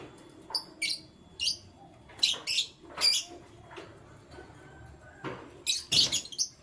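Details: Canaries in the morning, giving short, sharp, high chirps in scattered bursts, some paired or tripled, with quiet gaps between them.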